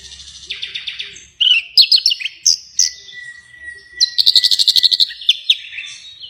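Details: Bird singing actively right after release, a lively mix of quick buzzy trills, sharp high chirps and short whistled notes, including a steady held whistle and a fast run of clipped notes repeated several times per second.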